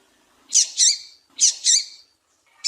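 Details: Double-collared seedeater female calling to stimulate a male: two doubled calls, each a pair of rasping, buzzy chips run together, about a second apart, with a third call just starting.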